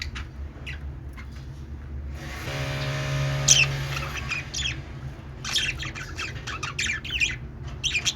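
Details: Budgerigar chirping: sharp, scratchy chirps and short squawks in irregular bursts, densest near the end, over a steady low hum, with a droning tonal sound in the middle.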